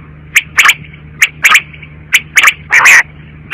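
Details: Rapid quail calling: short sharp notes, often paired, repeated several times a second and ending in a longer harsh burst, over a faint low hum.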